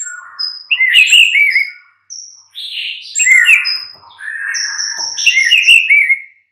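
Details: Varied whistled song of a white-rumped shama, played as a mid-morning lure: looping mid-pitched warbles topped with high sustained whistles, in three phrases broken by short gaps.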